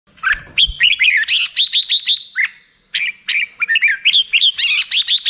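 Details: Black-crested bulbul singing: rapid bursts of bright, slurred chirping notes, mostly mid to high pitched, strung into busy phrases with a brief pause midway and a low thump near the start.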